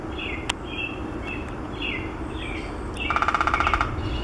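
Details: Downy woodpecker drumming at Maplewood Park, North Vancouver, BC, Canada, on 11 June 2017: one rapid, even roll of about fifteen taps lasting under a second, after repeated short slurred calls of other birds, over steady background rush.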